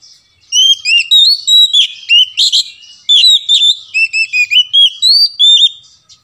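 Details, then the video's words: Oriental magpie-robin song used to lure silent, reluctant birds into singing: clear whistled phrases of rising and falling slurs, delivered in quick bursts about every quarter second, with a short pause midway and no other sounds. "AMPUH PANCING BURUNG KACER Macet agar BUNYI"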